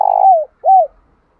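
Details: Decoy spotted dove coo used to lure males. A loud, sustained hooting note slurs downward, then a second shorter arched coo follows after a brief pause.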